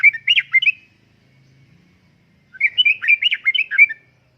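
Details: Yellow-vented bulbul singing in the gacor 'uplik-uplik' style, a tutor and lure recording for caged birds: a brief bubbly warbled phrase, silence, then a longer tumbling run of liquid whistled notes.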